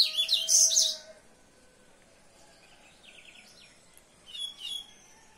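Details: Common seedeater song: a loud, rapid burst of high, dense chirps opens the phrase, then a quieter stretch of softer trills follows, and a second short high flourish comes near the end.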